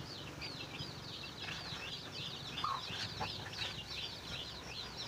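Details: Chicks peep rapidly and continuously, high and downslurred, while a chicken finds food for them; a single low cluck stands out in the middle.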